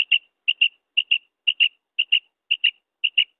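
Female common quail giving sharp, high paired notes, a quick double chirp repeated about twice a second against complete silence.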